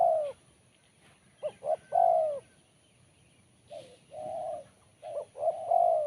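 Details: Sharp-voiced spotted dove, BL Kuk 1 song style. Repeated low coo phrases, each one or two short hoots leading into a sustained, slightly descending coo. About four phrases in quick succession.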